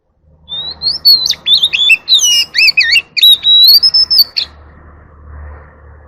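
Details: White-rumped shama singing in forest style, calling the flock: a rapid, varied run of loud whistles, buzzy slurs and sharp chips, ending on a long, sustained whistled note, over a faint low hum.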